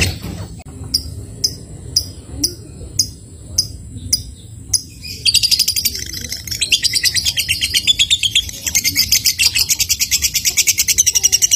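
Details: Lovebird ngetik running into ngekek, meant to set other lovebirds chattering: first sharp, high ticks repeated roughly every half second, then a sustained, rapid, high rattling trill building in loudness.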